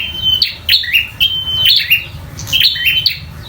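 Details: Fighting song of a local bar-winged prinia, full of energy: repeated phrases of a thin held whistle then sliding, buzzy descending notes, roughly one per second, with low background rumble.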